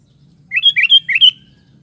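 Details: Sooty-headed bulbul (kutilang) gives one loud phrase of four quick, rolling whistled notes, each sliding upward, over a faint low background hum.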